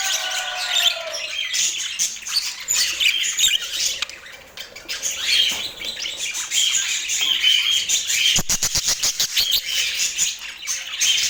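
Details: Portland pet budgerigars twitter and warble densely, with a brief lower tonal sound at the start and a burst of rapid sharp clicks near the end.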